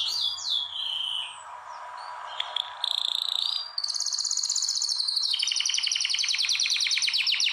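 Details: Canary song used to stimulate females for mating: sweet descending whistles and a held tone, then long fast rolling trills of rapid repeated notes, loud and clear.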